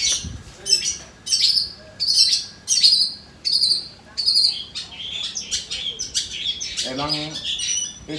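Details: Long-tailed shrike, a young bird (anakan), sings repeated bursts of sharp, high chattering notes, mimicking material it hears often at midday; a man talks near the end.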